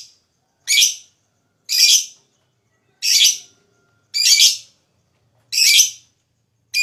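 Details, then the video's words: Lovebird sound meant to provoke rival lovebirds into long singing: loud rasping squawk-like bursts roughly once a second, separated by clear silent gaps. "Suara LoveBird Terapi,Rangsang Lawan Cepat Ngekek,LoveBird Ngekek Gacor"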